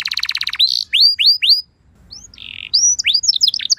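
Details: Canary lure song for prompting replies: a rapid pulsed trill, then a few upward-curving whistles, a short pause, a buzzy note and a jumble of quick high slurred notes.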